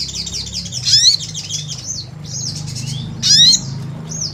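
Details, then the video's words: Sunbird (sogon) lure recording: a string of repeated short high arching notes broken by two bursts of steep rising sweeps. Low hum underneath. "Pancingan SOGON GACOR"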